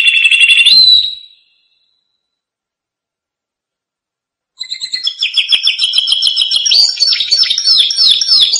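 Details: Canary singing for training young canaries: a short, rich trilled phrase, a pause of several seconds, then a rapid stream of chattering, repeated high notes and sweeping slurred whistles.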